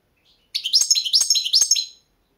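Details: Balkan goldfinch, Carduelis carduelis balcanica, competition song recording for a 2022 world championship: one rapid, bright, twittering phrase of dense chirps and trills, lasting about one and a half seconds.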